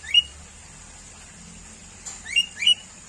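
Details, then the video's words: Sooty-headed bulbul, a common bird found around homes, giving a single short rising whistled note, then after a pause two more quick rising notes, over a steady high-pitched background drone. "SUARA BURUNG KUTILANG - BURUNG CANGKURILENG"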